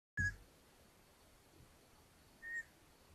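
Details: Long-eared owls at a nest in Hungary on 13 May 2022, as the mother returns from hunting with a mouse for the chicks: a sharp thump, then two short, thin whistled notes about two seconds apart over quiet hiss.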